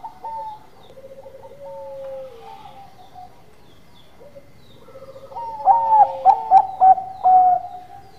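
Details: Bangkok-type zebra dove in manggung song. Several seconds of softer background cooing, then a loud cluster of rapid, staccato coos ending in a sustained note.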